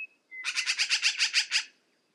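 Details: A single burst of about ten quick, harsh, rasping notes from a black-billed magpie, evenly spaced, preceded by a brief whistled note.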